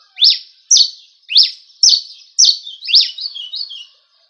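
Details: Song of a good cravina from Rio Grande do Norte, a series of bright high phrases, each rising fast then holding a buzzy tone, about twice a second, with the last phrases running together into a falling trill.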